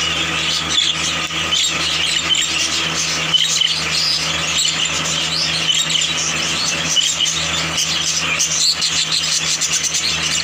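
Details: A dense chorus of yellow budgerigars at a bird market in Multan, chattering and warbling nonstop over a low mechanical hum.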